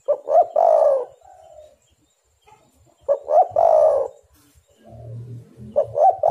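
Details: Spotted dove (tekukur) calls used to lure doves into singing: two loud phrases, each a couple of short hoarse notes and a long rough coo, with softer coos after them.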